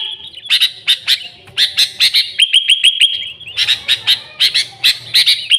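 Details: Sooty-headed bulbul singing vigorously, original sound with no fill-in songs, intended to attract the species: bursts of high chirps, a neat string of five quick whistled notes, then dense renewed chirping.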